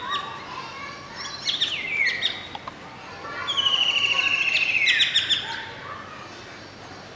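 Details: An adult male Indian golden oriole, recorded from a window at Masab Tank, Hyderabad, sings two clear whistled phrases, each sliding downward, the second longer and steadier, over a soft background hiss.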